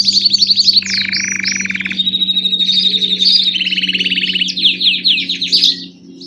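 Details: Song of a grey Belgian canary, loud and near: a quick high trill, a lower rolling buzzy trill, a thin held whistle, then further rapid trills and sweeping slurred notes fading out, over a soft constant hum.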